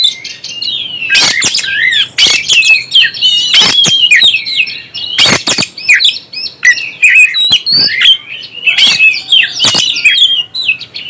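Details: Oriental magpie-robin, a kept songbird, singing to stir others: varied whistles and slurred notes punctuated by sharp clicking, harsh bursts every second or two.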